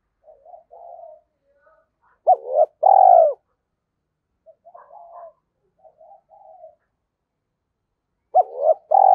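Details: Spotted dove coo serving as a lure to bring in wild doves. Loud phrases about six seconds apart, each an upswept note and a long falling coo, separated by quieter, broken murmuring notes.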